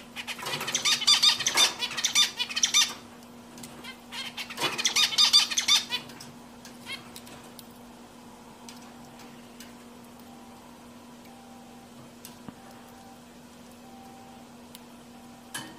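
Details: Zebra finch with a happy voice: two bursts of rapid, harsh, squeaky chirps, about two seconds each, then a long quiet stretch with faint scattered ticks and a few soft, thin tones over a steady low hum.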